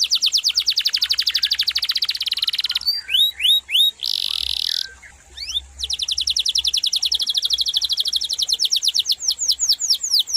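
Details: Canary in energetic rolling song: long dense trill of sharp high notes, broken by a few upswept whistles and a harsh buzzy burst, then resuming a steady fast trill of repeated notes that slows slightly toward the end.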